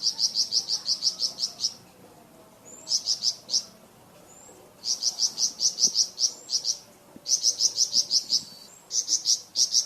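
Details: Varied song of a Flamboyan bird, used as a tutor song for cucak ijo and magpie robin: bursts of rapid, high, sharp repeated notes, each run lasting one to two seconds, separated by short pauses and brief thin upslurred whistles.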